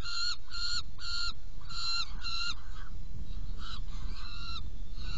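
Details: Feeding time at a saker falcon nest box, 17 June 2018, 10:31; several rasping nasal calls in quick succession, then weaker, more broken and drawn-out notes, all over a continuous low hum.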